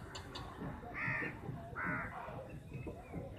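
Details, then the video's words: Fifty crows contesting a single chapati; two loud, drawn-out harsh caws stand out in the middle, with softer calls and low background rumble around them. "1 vs 50 crow || crows biggest fight || crow eating chappiti || crows sound"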